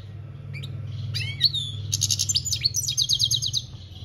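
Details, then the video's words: European goldfinch singing campero-style in 2021: a few sharp, rising chirps and slurred whistles build into a fast, rhythmic trill of bright repeated notes, then a second rapid rattling run; low background hum. "Goldfinch singing - Jilguero Cantando Campero - Chant Chardonneret"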